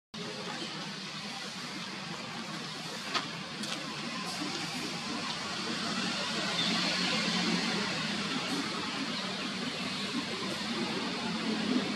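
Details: Steady broadband traffic-like rumble and hiss with faint musical tones, and no clear animal call.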